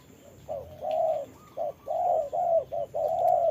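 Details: Spotted dove, a decoy bird used in trapping, calling while fighting a wild bird in the rain; low hollow coos in short-then-long pairs, repeated steadily, with a faint steady hum in the background.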